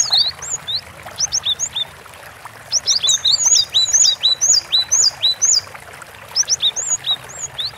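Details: Cinereous tit (gelatik batu) singing gacor, steadily and at length: sharp two-note whistled phrases, a lower note then a higher upslurred one, repeated quickly in bursts separated by short pauses, over faint background hiss.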